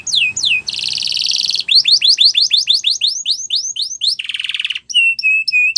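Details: Canary training song with sharp downslurred whistles, a sustained buzzy rattle, an accelerating run of upslurred sweeps, another short harsh trill, then level piping notes.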